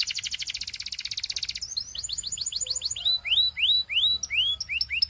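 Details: Belgian canary song for stimulating other canaries: a dense buzzing trill gives way to quick high chips and clear rising whistled notes repeated about twice per second.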